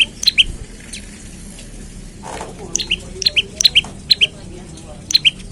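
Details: Morning calls of an olive-backed tailorbird, played to prompt other tailorbirds to sing. A quiet start, then a brief low rustle, followed by loud high, sharp paired chirps in quick succession.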